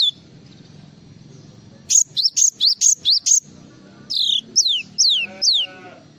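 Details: Java sparrow delivering a fast series of about six bright two-part whistled notes, then several loud downward-sweeping whistles, with a low murmuring background throughout.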